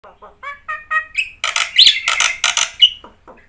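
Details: Black-winged myna in chatty song with fill-ins: soft rising whistled notes build into a loud run of harsh, buzzy screeches, then fade back to quiet calls.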